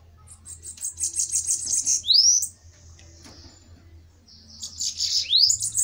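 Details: Two fiery bananaquits dueling in a fight, giving high buzzy chattering trills broken by a sharp upward-swept whistle, then a quieter pause before another trill and rising slur.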